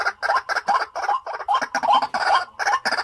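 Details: A decoy white-breasted waterhen in a cage utters rapid, raspy, gurgling croaks in quick succession, roughly ten short bursts in three seconds.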